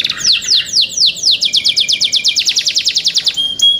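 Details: Song of young canaries: loud downward-sliding whistled notes repeated quickly, merging into a faster steady rattle of short notes before a final bright chip.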